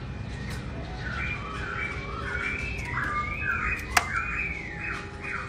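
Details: Black-throated laughingthrush singing when its owner is away: a quick, flowing chatter of linked whistled notes, rising and falling, with one sharp tap and steady hiss underneath.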